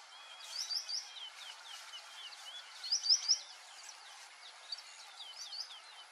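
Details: White-faced whistling ducks whistling, two clear triple-note phrases of high sharp whistles about two seconds apart, surrounded by many fainter slurred notes from other birds of the flock.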